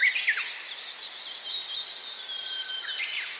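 A Gouldian finch gives a soft, hissing, whispery song with a few thin high whistles and quick chips at the start.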